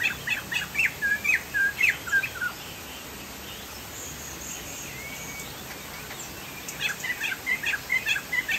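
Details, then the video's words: Chinese hwamei (Sumatran poksay jambul) in gacor song: quick repeated whistles for two seconds, a long pause with one thin drawn-out note, then a fresh burst, with a constant hiss and faint insects. "POKSAY JAMBUL GACOR"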